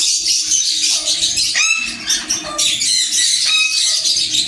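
A sun conure gives harsh, shrill squawks and screechy chatter, with sharp rising calls at about two and three and a half seconds.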